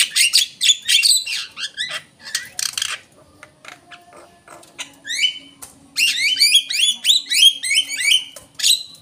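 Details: Javan myna lure sound: harsh chatter at first, a near-silent gap, then a dense burst of repeated downslurred and flat whistled notes.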